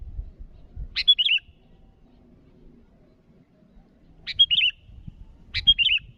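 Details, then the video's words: Calling to challenge rivals, a sooty-headed bulbul gives crisp two-part chirped phrases, one alone, then a pause of about three seconds before two more close together, over faint low rumbling. "Suara burung Kutilang Gacor memanggil lawan"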